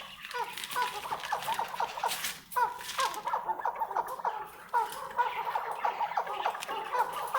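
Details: Chukar partridge of the Maskati type giving a long run of hoarse, throaty chuk notes, rising and falling in loudness, broken by a brief dip near the middle, over constant noise.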